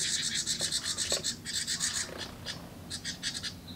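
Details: Young house wrens screaming for more food from their parents at a nest box: rapid, rasping high-pitched bursts repeated about four per second, loud at first, then thinning into scattered buzzy pulses.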